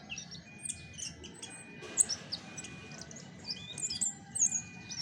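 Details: Chestnut-backed thrush giving its original song with no tutor-bird recordings added: rapid, varied high whistles and chirps in short bursts, interspersed with thin sustained tones and a steady faint background hiss.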